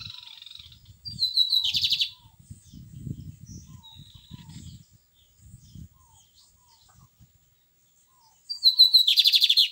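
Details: Lined seedeater giving two short, bright, buzzy trilled phrases, each opening with a thin note and ending in a fast rattle. Long quiet gaps fall between them, with soft low knocking noises.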